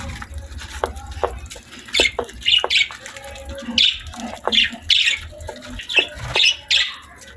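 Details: Pet budgies feeding on healthy food give a run of bright, scratchy chirps, repeated roughly every half second from the second second onward, with soft clicks and rustles between calls.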